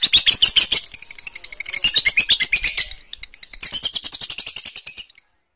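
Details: Caged lovebird described as on the verge of going 'konslet', giving fast, high, shrill chattering chirps, dense rapid notes repeated about three per second in bursts, with brief pauses.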